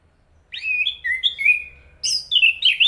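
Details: Chestnut-capped thrush (Zoothera interpres) singing a phrase of clear whistled notes, a long level whistle gliding slightly, then higher slurred notes rising and falling after a short pause.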